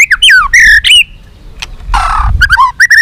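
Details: A white-rumped shama mixes harsh, squawky phrases and loud whistled slurs in a fight-provoking long song, with a brief rough burst of noise midway before more rapid whistles.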